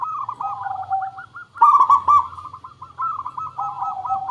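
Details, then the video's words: Zebra dove, local type, singing as a lure for other doves; a fast chain of looping coos alternating between higher and lower pitches, broken by one loud stuttering burst in the middle. "Suara Pancingan Burung Perkutut Pikat Paling Bagus Supaya Bunyi"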